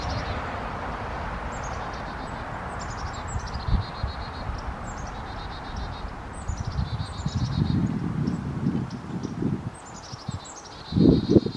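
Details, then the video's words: Chickadees chirping by a bluebird nestbox on Hilton Head Island, South Carolina, while two deer stand alert nearby: thin, high, down-slurred chirps in short series, with low rustling and thumps. "Chickadees Chirp by E9 Nestbox"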